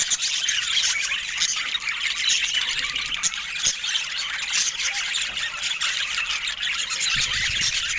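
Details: Budgerigars kept as pets chattering continuously in a busy flock, dense overlapping high chirps, squawks and warbles with no pauses.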